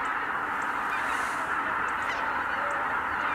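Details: Many Greater white-fronted geese take off together at Kabukuri-numa on 12 January 2019, heard as a steady, blurred clamour of countless overlapping honks with no single call standing apart.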